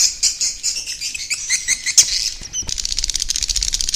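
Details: Swiftlets in an 'inap' roost-lure recording, used to draw them to roost: scratchy overlapping twitters and chirps, then a fast even ticking of high clicks.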